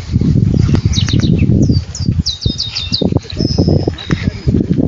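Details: Saffron finch in nature, delivering clusters of crisp high chirps and a drawn-out thin whistle near the end, partly masked by loud low-pitched rumbling and handling noise.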